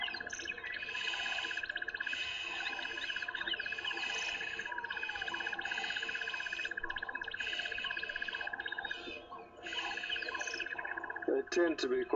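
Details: Several Burchell's starlings alarm calling together in a tree on a morning drive, 19 January 2015, harsh rapidly repeated chattering over a low drone; cause unseen, perhaps a false alarm or something small.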